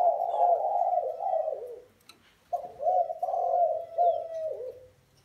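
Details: Spotted dove making deep rolling coos in two phrases split by a two-second pause, each phrase a throaty run of linked notes that fades at the end.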